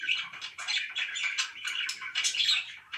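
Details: Budgies kept as pets chatter without pause indoors, a busy stream of short scratchy chirps and whistled notes stacked closely together.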